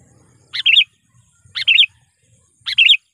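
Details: Sooty-headed bulbul lure call used to provoke wild rivals: three identical bubbly phrases, each a short note then a quick warbled burst, about one per second, faint low hum.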